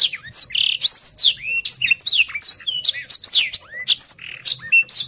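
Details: Energetic Blackthroat song: continuous high whistled sweeps, downslurs and upslurs, interspersed with short buzzy trills and clipped chips, delivered without a break, used for tutoring competition birds.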